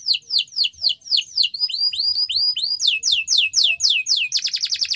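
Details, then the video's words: Canary training song made of sharp downward-slurred whistles at about four per second, shifting pitch between phrases and closing on a very fast, high, rolling trill. "canary singing _your canary will not stop singing with this training song"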